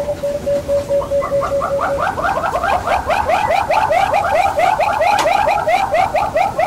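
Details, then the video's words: Southern yellow-billed hornbill (Tockus leucomelas) in Kruger National Park, South Africa, gives a level hollow note, then a fast run of clucking, hooting notes, about two per second, building in intensity. "Southern Yellow-billed Hornbill Bird Call"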